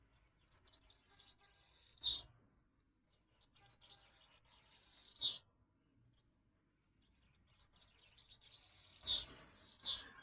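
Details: Swallows at a window, twittering. Scratchy high chatter comes in bursts, with a sharp squeaky note near two seconds, another near five, and two more near nine and ten seconds, separated by quiet gaps.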